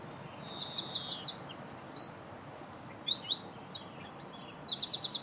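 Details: European greenfinch calling as it feeds, footage from 2017; dense high twitters and short rattles run almost continuously, with one sustained buzzy nasal note in the middle.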